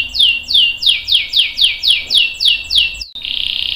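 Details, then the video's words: Canary song for training young and adult canaries: a series of descending whistled sweeps repeated about four per second, ending in a sustained buzzy trill. "KENARI GACOR NGEROL PANJANG bagus buat pancingan dan masteran kenari paud dan dewasa"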